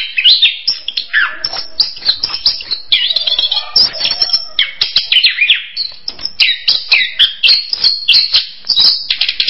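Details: Orange-headed thrush singing a rapid, varied stream of sharp whistled and chattering notes, mostly high-pitched, with quick slurred phrases and short pauses throughout.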